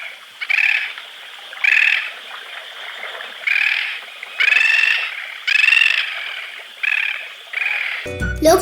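Bridled Tern giving harsh, nasal, yapping calls, each about half a second, roughly one every second, with a brief burst of music at the end.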